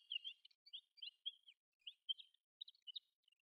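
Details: Soft, rambling subsong of a desert wheatear, a passage migrant or winter visitor, in Sakae, Chiba, Japan: continuous faint twittering of short high chirps and warbled notes in irregular bursts.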